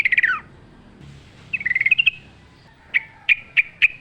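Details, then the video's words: Sooty-headed bulbul in full wild-style song: a fast descending trill, a rising bubbly run of notes, then four evenly spaced sharp whistled chirps. "trucuk gacor ngalas full suara alam"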